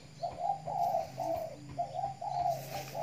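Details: Decoy spotted dove from Riau Islands, set out in the morning sun to keep it fit: soft, husky coos in paired phrases, rising and falling, with a low steady hum beneath and faint outdoor background.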